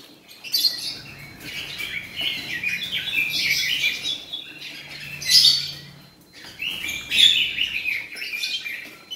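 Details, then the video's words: Male Oriental magpie-robin kept in a cage, giving harsh, scratchy high phrases in separate bursts, with a few clear whistled notes standing out. "Robin jantan"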